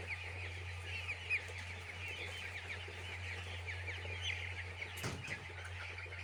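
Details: Many chicks on a poultry farm peeping together in a dense, continuous chorus of short high chirps, with a steady low mechanical hum beneath and a sharp knock near the end.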